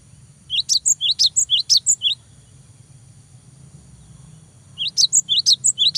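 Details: Cinereous tit singing loudly to incite a rival and encourage young tits to sing: two long runs of sharp, evenly spaced paired whistles, rising then falling, over a quiet low hum.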